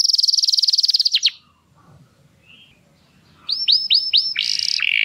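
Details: Canary song for stimulating females to mate. A fast rattling trill stops abruptly, a quiet pause follows with faint low background murmur, then come rising whistled slurs and a buzzy phrase.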